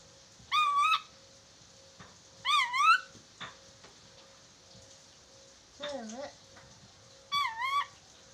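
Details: Chattering lory calls on a recording used to teach a bird to speak fast: four separate harmonic, wavering whistles roughly every two seconds, one lower and swooping, with soft clicks between them.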